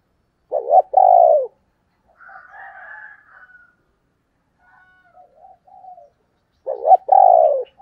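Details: Spotted dove hen calling in 'thổ đồng' style, used as a lure for wild males: strong, hoarse double coos, a quiet wavering murmur between them, then another loud coo pair.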